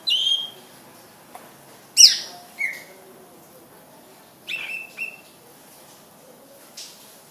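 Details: Greater green leafbird giving sparse song notes: short sharp whistles and quick downward-slurred chirps spaced irregularly across several seconds, with quiet gaps and low background hum between them.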